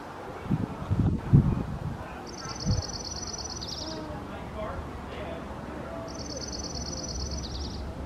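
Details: A dark-eyed junco singing from a lantern gives two high, dry trills, each about a second and a half of rapid even notes, a few seconds apart, over low rumbling background noise.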